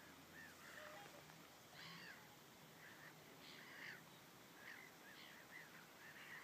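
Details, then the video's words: Black-tailed godwit at Degernäsbäcken, Umeå, Sweden, on 23 April 2013; faint, distant, repeated short upslurred nasal notes in irregular bursts over a steady background hiss. "Rödspov (Limosa limosa)"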